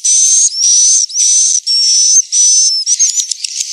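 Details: Swiftlet roosting lure call, meant to draw young and adult swiftlets to stay: loud buzzy hissing bursts about half a second long with a thin whistled tone inside, repeated back to back, ending in scattered chirps.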